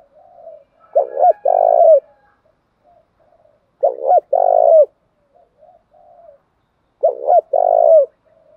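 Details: Male and female spotted doves coo to stimulate trained birds. Low, repeated three-part phrases with stuttered opening notes and a long, steady closing coo come roughly every three seconds. Soft murmuring notes fill the gaps.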